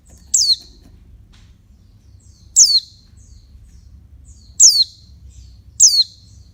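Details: Oriental white-eye female calling to arouse males, four crisp high-pitched descending chirps at uneven intervals of roughly one to two seconds, with a quiet low drone behind.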